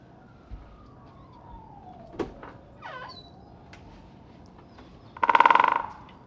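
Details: Great spotted woodpecker drumming on oak, recorded with a Rode NTG-3 and Zoom H6: one loud, fast roll of even strikes lasting under a second near the end, after faint sliding, siren-like tones and a few distant chirps.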